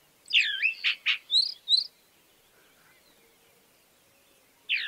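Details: Chalk-browed mockingbird singing a short burst of varied, twisting whistled and chattery notes over about one and a half seconds, then a long pause and the start of another phrase; quiet rural background.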